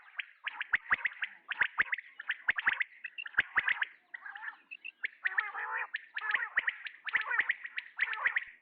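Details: Male common quail calling: a sharp three-note phrase repeated roughly every second, each note a quick ticking burst. Between the phrases come rougher, gargling, buzzy notes from around four to six seconds.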